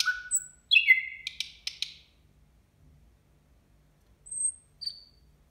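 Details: Nightingale singing at New Year: a high thin whistle, then a burst of clicks and a cascade of descending, slurred notes, ending with two brief high whistles after a pause.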